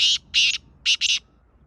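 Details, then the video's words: Black francolin, called kala teetar in Pakistan, giving a loud, harsh, rasping call: four grating bursts within about 1.2 seconds, the first two spaced apart, the last two close together. "Black Francolin Kala Teetar ki awaz"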